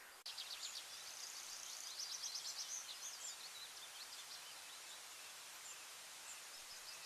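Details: A willow warbler on a farm, captured in bioacoustic biodiversity monitoring, gives a sweet, high phrase of quick notes sliding gently downward over about three seconds, then softer fragments against a steady background hiss.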